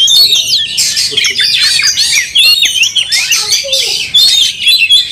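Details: Oriental magpie-robin in a heated fighting display with its tail opened: a bright, high, tumbling song of looping whistles and squeaky twitters delivered in dense bursts with brief gaps.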